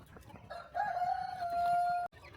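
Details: Chicken on a small countryside farm during a quiet morning feeding: a single drawn-out, steady, harmonic crow lasting over a second, slightly rising at the start and ending abruptly, over faint farmyard background noise.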